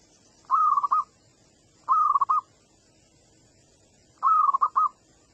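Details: Young local wild zebra dove singing as a lure for other doves: three short phrases, each a drawn-out coo breaking into quick clipped notes, over a quiet background hiss.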